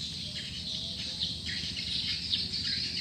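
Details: Swiftlet lure call used to attract swiftlets: a dense, continuous chorus of high, sharp chirps and twitters with frequent quick downward-sliding notes, overlapping without pause, over a low steady rumble.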